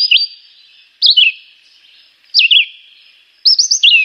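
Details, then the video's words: Chivi vireo song: brief melodious whistled phrases with quick descending and looping slurs, each phrase separated by roughly a second of quiet, four phrases heard. "Juruviara - Pássaro - Canto"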